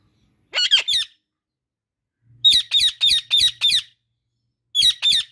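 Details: Indian ringneck parakeet giving harsh, screechy squawks, a burst of three then a rapid run of six and a closing pair, each note sharp and grating with a steady low hum in the background.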